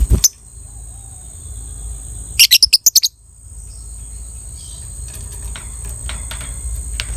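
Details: Short ngekek burst from a 'biola' lovebird of attractive colour, played to boost breeding drive: seven loud, sharp, rapidly repeated shrill notes in under a second, preceded by one chirp, with a steady high hum and faint ticking afterwards.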